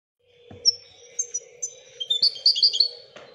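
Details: Royal goldfinch singing a varied twitter of high thin whistles, buzzy notes and short tinkling trills that grow louder toward the end, over a steady low hum.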